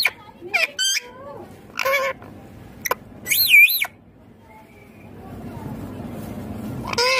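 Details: Talking green Indian ringneck parakeet producing short harmonic word-like syllables in bursts, one wavering, warbled phrase in the middle, then a quiet stretch before a final loud syllable.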